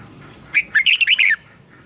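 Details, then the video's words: Red-whiskered bulbul training song for young birds and wild-caught birds: one short, lively phrase of clear, bouncing whistled notes lasting under a second, in a quiet setting. "Chào mào luyện giọng giúp má trắng học giọng hiệu quả, kích chim bổi nhanh hót và căng lửa."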